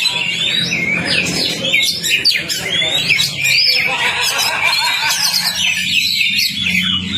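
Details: Lure song of the Oriental magpie-robin, or kacer, to rouse a non-singing bird: long run of sharp downslurred whistles, trills and chirps, fairly steady in loudness, with low background hum.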